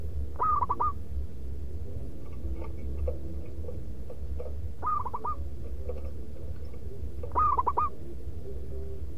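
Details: Three loud, rhythmic manggung phrases from a local zebra dove lure bird, each a burst of quick stuttering coos, spaced roughly every three to four seconds, with faint chirping of other birds and a steady low hum.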